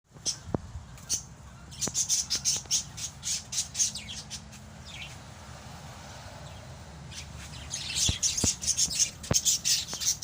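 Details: Pet lovebirds, several kept together, giving sharp high chirps and squeaky notes in irregular bursts, busiest near the start and again toward the end, over a low steady hum.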